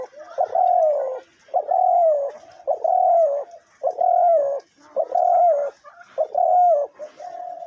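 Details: Hunting decoy dove cooing steadily: a run of low, hollow, slightly wavering coos, each about half a second to a second long, repeated roughly once a second with brief gaps.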